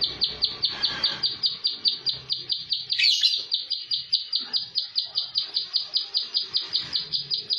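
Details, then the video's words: Plain prinia (prenjak sawah) sings a rapid, tightly spaced string of high, clipped notes, about four each second, with a brief scratchy sound midway and faint low background noise. "PRENJAK SAWAH TEMBAKAN RAPET"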